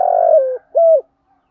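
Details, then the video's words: Spotted dove calling in the morning in the gáy gọi bổi manner for attracting wild doves: the end of a phrase, a long buzzy rolling coo falling slightly in pitch, then one clean rounded coo and silence. "Tiếng chim cu gáy hay bài vở dày [ THÚC GÙ. GÁY GỌI, BÀI VỞ ] cu cườm gáy gọi bổi buổi sáng"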